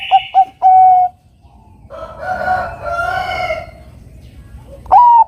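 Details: Bangkok-type zebra dove singing as a lure for a rival. The tail of one phrase, quick clipped coos and a long coo, then a loud rooster-like crowing sound, before the next rising opening note begins.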